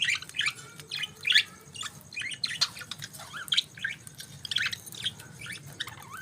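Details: Budgerigars chirping in the morning: a busy stream of short, quick, warbling chirps and squeaky notes, some rising and falling, overlapping with no steady rhythm, against a faint low background hum.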